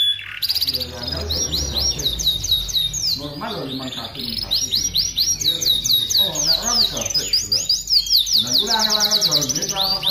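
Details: Vigorous canary song in an aviary, intended as master audio for singing training: continuous high rapid trills and slurred whistles over busy lower chattering sounds from other birds or voices.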